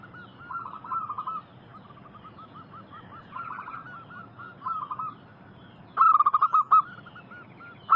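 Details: Several local zebra doves singing, recorded as a lure for wild birds. Soft runs of short coos overlap from different distances, ending in a loud close series of rapid, clipped cooing notes.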